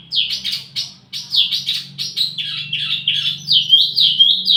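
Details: Wambi mini singing as lure and tutor audio for flowerpeckers: repeated bright downslurred chirps in quick succession, with a faint low hum underneath.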